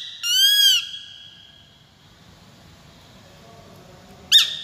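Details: Peregrine falcon giving a drawn-out, strongly harmonic, slightly arched screaming note, followed by about three and a half seconds of faint hiss before a short sharp note ends the recording.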